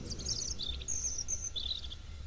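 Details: Little rock thrush (Monticola rufocinereus), call.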